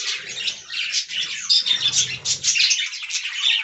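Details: Aviary budgerigars chatter as a group: busy, raspy warbling and clipped high chirps pile on one another in quick, irregular bursts, with soft low murmuring beneath.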